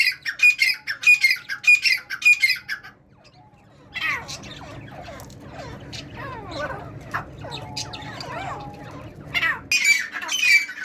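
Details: A captive singing tetar (partridge) gives loud, harsh, rapidly repeated squawking notes in bursts, with a jumble of other bird chirps and a low hum in between.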